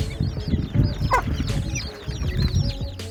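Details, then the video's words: Baby chicks in a group giving many overlapping thin, high, down-slurred peeps over a loud, low rumble, with background music. "baby chicken sounds"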